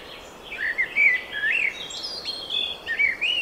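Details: Birds singing in spring: bright warbling phrases of whistled, rising and falling notes, several short bursts in quick succession over a soft steady background hiss.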